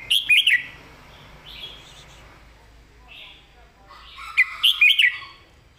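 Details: Red-whiskered bulbul singing its master song with clear phrasing: two energetic bursts of rapid, rollicking whistled notes open and close the passage. Quiet mellow warbles sit between them.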